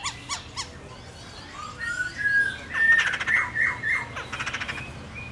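A laughingthrush gives three harsh squawks, then a run of loud, varied whistled phrases mixed with rasping, chattering notes.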